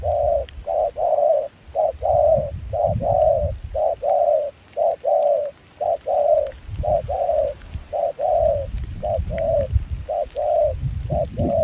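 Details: Spotted dove in Kon Tum, a wild-caught bird with a mixed foreign-style voice, cooing during cold, windy rain at a decoying session. A steady run of short-long coo pairs fills the recording, with gusty low rumble beneath.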